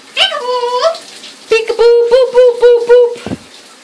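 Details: A male Eclectus parrot, tapping his own beak with his foot, mimics speech in a high, even voice, saying "boop" and "peekaboo": one drawn-out word, then a quick run of about six syllables, with soft tapping clicks between words.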